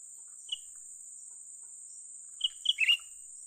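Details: A young cucak ranting bulbul, recorded while being lured for trapping, gives one isolated high note, then a quick cluster of bright whistled notes ending in a warbling twist, against a constant thin hiss.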